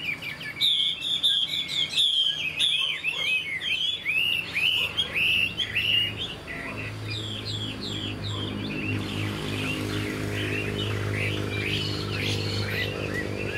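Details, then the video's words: Chinese hwamei, a bird of this year described as singing well, gives six seconds of bright varied whistles and slurred trills, then the song fades into a steadier, busier stretch with a loud low hum and broad noise. "Họa mi chuyền năm nay, cực kỳ tố chất, vẩy đuôi khướu, hót tốt"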